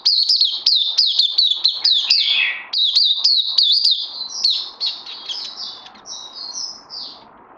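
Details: Oriental white-eye, a pet bird on day two of supplements, 31 May 2020, giving quick high chirps that slide down, then softer, thin, higher whistled phrases fading over a low background hiss.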